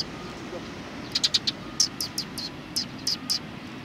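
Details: Chirping sparrows at a Tenmangu shrine, recorded 31 March 2020: a lively string of short, high, sharp notes, some paired, scattered through the recording over faint low hum.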